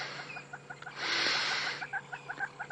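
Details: One covey of Crested francolins calling on a warm evening just after sunset, a rapid run of harsh, clipped notes in quick bursts, with hornbills also calling and a broad hiss of wind or breath midway.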